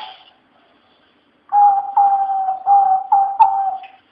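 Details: Eurasian collared dove singing in the Patio de los Filósofos, an urban university courtyard: after a brief high chirp and a pause, a steady series of low, hollow coos in close succession, each note breathy and level.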